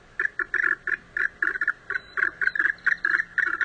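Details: Andean goose calling in a steady run of short, loud, nasal notes, about four per second, some doubled, with no other sounds.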